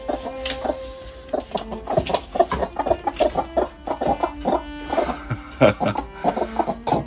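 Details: A pet hen in her broody period clucks in quick, repeated throaty "ko-ko-ko" notes, about three each second, after returning from a walk, with faint steady humming tones in the background.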